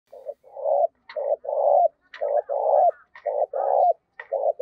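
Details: Spotted dove kept as a decoy to lure wild doves, cooing in the giọng thổ style: low cooing phrases of short notes leading into a longer coo, repeated about once a second, with faint higher chirps between phrases.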